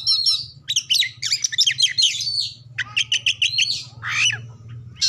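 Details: Oriental magpie-robin song used to prompt other birds into singing: loud, varied phrases of rapid chattering notes, trills and whistled slurs, mimicking other species, with a steady low hum beneath.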